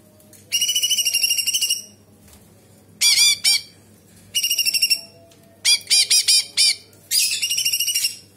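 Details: Bulbul known locally as cucak cungkok in lively song with kapas tembak fill and sharp nyerecet: long high buzzy phrases alternate with clusters of quick dropping harsh notes, each burst of about a second.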